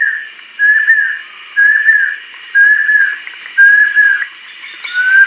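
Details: Adult female banded kingfisher singing: a series of clear whistled notes, each sliding up and then slightly down, repeated about once a second with short pauses, over a faint steady background hiss.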